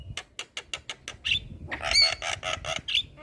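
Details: Javan myna in a training recording meant to prompt other mynas to sing: evenly spaced clicking notes, then loud broad squawking bursts with thin whistled tones over them.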